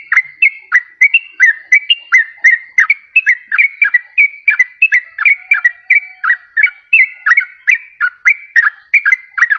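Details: Yellow-vented bulbul lure song for trapping or for getting a reluctant caged bird to sing: a continuous string of bubbly, slurred whistled notes, each dipping and rising, repeated about three times a second.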